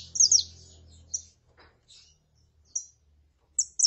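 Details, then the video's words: A female saffron finch calling and a male singing give a quick cluster of high, sharp chirps, then single high notes separated by quiet gaps. "CANTO DE FÊMEA PARA ESQUENTAR CANÁRIO DA TERRA (FÊMEA CHAMANDO E MACHO CANTANDO)"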